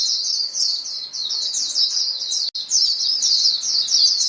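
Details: Flock of white-eyes calling back and forth, played so pet birds open up and sing: steady, crowded high twittering throughout, interrupted by a momentary cut near the middle.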